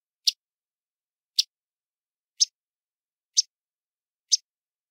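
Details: Myrtle Yellow-rumped Warbler, on a morning in Prospect Park near a large lake fringed with Phragmites, gives five flat, dry chips about once a second: short high clicks without the rising pitch of Audubon's chips.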